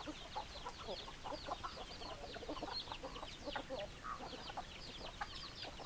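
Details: Chickens clucking together: rapid overlapping clucks mixed with a band of high thin chirping notes, busy and constant from many birds.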